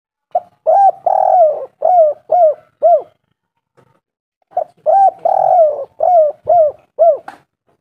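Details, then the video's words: Spotted dove (tekukur) in lively full voice, used as a lure to make other doves call: two phrases, each a short coo, a long drawn-out coo, then three or four shorter arched coos, with a pause between phrases. "tekukur gacor suara merdu sangat manjur buat pancingan langsung bunyi"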